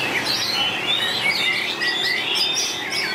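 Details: A white-rumped shama in a singing contest delivers long varied song phrases: clear whistles, thin high slides and rapid chirps run together over a steady background hiss.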